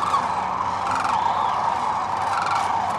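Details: A dense spring chorus of migrating sandhill cranes, feeding and resting on the Platte River in central Nebraska: many rolling, trumpeting rattles overlap into a continuous, mid-pitched clamor with no pause.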